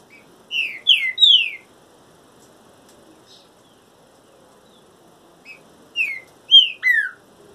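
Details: Trinca-ferro, the green-winged saltator, singing while in moult: two phrases of three bright, descending whistled notes, separated by about four seconds of near silence with faint soft chips between.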